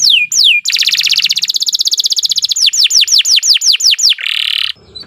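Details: Canary song used to teach captive birds: two falling whistled sweeps, a fast trill of repeated notes, a run of descending sweeps about three per second, then a harsh buzzy burst.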